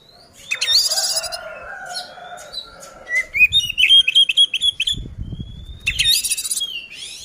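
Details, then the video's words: Oriental magpie-robin fighting song to provoke rivals: opens with a harsh buzzy burst and long thin whistles, then a rapid run of short bright notes repeated several times a second, ending in another rasping burst. "suara burung kacer gacor ngeplong tarung ini ampuh buat pancingan kacer agar emosi"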